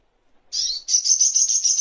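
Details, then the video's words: Sogok Ontong, a sunbird, in a master recording for training caged songbirds; a thin high sustained twittering trill, briefly broken then running continuously and fast. "Masteran Songon(Burung Sogok Ontong)isian Terbaik"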